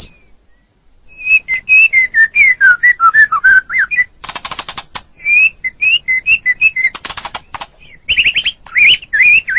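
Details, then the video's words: White-rumped shama, the pet songbird here used to tutor others: a string of clear whistles slurring downward, a burst of harsh buzzy rattling, then more bright whistled phrases rising and twisting at the close. "Suara Burung Murai Batu"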